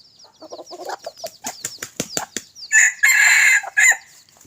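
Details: Red junglefowl, a rooster aged just over a year, crowing on a Friday morning: a loud, hoarse crow of about a second that stops abruptly, after soft chirps, clucks and sharp knocking sounds.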